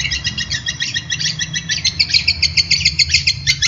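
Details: Long-tailed shrike singing briskly, taught as a master recording for lively competition singing: a dense run of rapid, high chirping notes repeated several times a second, with a low hum underneath.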